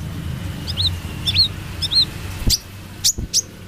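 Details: Brown-throated sunbird singing actively in 'trotol' style: three quick pairs of high, hooked chirps, then a few sharp clicking notes, with a faint low hum underneath.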